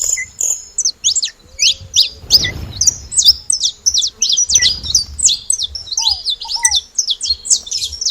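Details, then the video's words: Saffron finches noisy at a feeding site: long runs of sharp, high chirps and zigzag notes, two bursts of rustling noise, and a few lower downslurred whistles late on. "Canário da terra fazendo barulho na seva"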